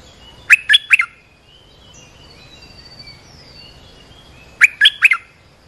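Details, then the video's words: An olive-winged bulbul's call, played to teach young birds and attract wild birds. A crisp three-note bubbly phrase is heard twice, about four seconds apart, with faint thin whistles in between. "เสียงนกดอกแตงEp.248 เปิดหัดลูกเสอ ลูกใบ้ เสียงเรียกนกป่า Suara pikat merbah lekir gacor"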